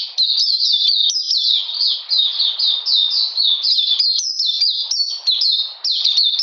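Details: In cold, rainy weather, an Oriental magpie-robin keeps up a rapid stream of bright, high, slurred whistles, phrases tumbling one into the next with only brief pauses; recorded 13 June 2020.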